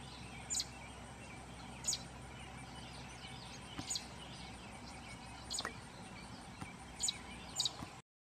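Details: A juvenile American robin pestering its parent for food gives thin, very high squeaky chirps, short and spaced every one to two seconds, over a steady background hiss.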